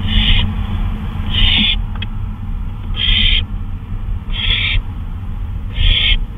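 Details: Owl out on a flyabout at 2:39 AM on May 26, 2013, giving five harsh, hissing screeches about half a second long, spaced roughly every 1.3 seconds, over a steady low rumble.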